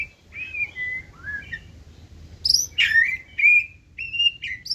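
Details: Caged white-rumped shama that runs its perch with tail held high, singing 'forest voice' song: fluty whistles, then loud, ringing notes repeated in quick bursts about every half second.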